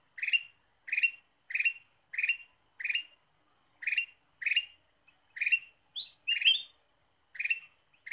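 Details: Ruby-throated bulbul used as a lure: a quick series of about thirteen short, bright, upward-sliding chirps, roughly one every half second, with a few higher squeaky notes near the end and a quiet background.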